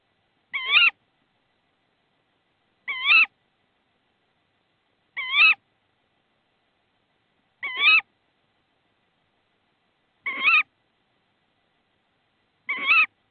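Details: A tawny owl in Estonia on 22 March 2016, as the male Klaus brings prey (a frog), gives six sharp, nasal, slightly wavering calls about every two and a half seconds, near silence between them.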